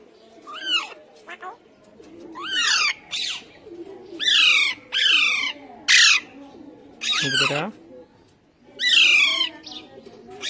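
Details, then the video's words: Indian ringneck parakeet taught to talk in Urdu and Hindi, producing a busy run of harsh, voice-like phrases with sweeping harmonics, some rapid and repeated, one lower drawn-out sound midway, with faint background murmur throughout. "Best Ringneck Talking Parrots | Urdu Hindi Bolne Waly Behtreen Talking Parrot"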